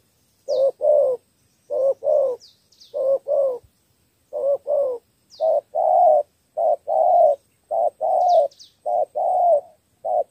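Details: Spotted dove, a caged decoy bird used to win over wild doves, giving a three-note style coo: a short then longer hoarse coo in pairs, about a dozen notes across ten seconds, with faint high chirps from small birds.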